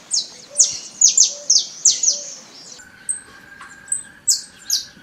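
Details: Free-living Saffron Finch in the wild giving strong, high downward-slurred chirps in a quick series, then a pause with a steady faint hum before a few more sharp notes; soft low rhythmic tones sound beneath.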